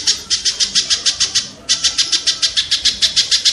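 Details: Kingfisher recording used to tutor competition songbirds in rapid-fire phrases: evenly spaced, grating high notes repeated about three times a second, with a short gap midway before the string continues.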